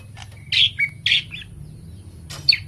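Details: Greater green leafbird, a kept songbird in full energetic voice, gives a few loud rasping bursts blended with short sliding whistles. A long pause follows, then a brief, bright chirp pair against a soft low background rumble.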